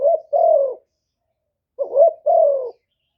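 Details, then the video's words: Two coo phrases from a spotted dove used as a decoy to excite wild doves, each a brief upward-bending note followed by a longer, gently sliding coo, separated by about a second of silence. "TIẾNG CHIM CU GÁY 1 HẬU RÒNG BỔI CỰC GHÉT, CU GÁY KÍCH BỔI CỰC CHẤT, TIẾNG TIẾNG CHIM MỒI"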